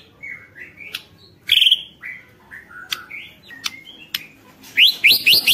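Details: White-rumped shama singing as a lure to provoke other shamas into song, with clear whistled notes, sliding phrases, a buzzy trill and a closing run of four quick rising upsweeps.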